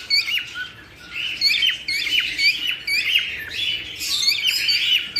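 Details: Cockatiel flock sound meant to prompt mating, with a steady mass of bright chirps and squeaky whistles that swells in loud bursts, then briefly eases before rising again.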